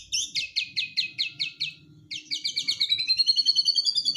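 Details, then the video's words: Aggressive white-rumped shama song, full of rapid-fire notes, used to stir a quiet shama into answering. Eight quick buzzy downslurred notes run in series, a pause, then a long rapid trill of repeated high chips that rises slightly. "BIKIN MURAI DIEM JADI GACOR EMOSI"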